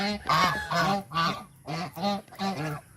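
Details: An angry white domestic goose protecting its territory gives harsh, nasal honks in a rapid series, about two or three each second, loud and evenly paced.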